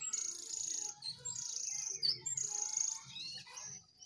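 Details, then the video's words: One wild jongkangan answering two caged jongkangan in a song battle: loud, high, sustained buzzy whistles in long phrases with short breaks between them. "jongangan gacor 1 Liar Vs 2 Sangkar"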